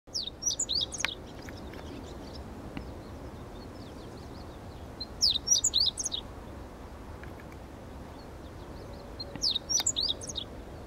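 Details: Meadow bunting singing softly outdoors: three brief, high, rapid phrases of sharp twittering notes, each about a second long and spaced roughly four to five seconds apart, over faint steady background noise.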